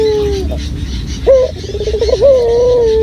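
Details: Local puter dove calling as a lure for other doves: a fading held coo, a pause, then a rolling tremolo that runs into a long, even, sustained note.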